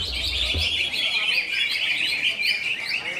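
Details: Greater green leafbird singing in konslet style: a fast, unbroken stream of high chattering, warbled notes with quick slurred rises and falls, plus a brief low thump near the start.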